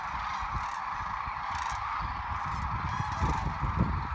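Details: A large flock of migrating sandhill cranes on the Platte River, Nebraska, in March 2017 fills the air with a steady chorus of rolling, trumpeting calls over a low rumble of wind.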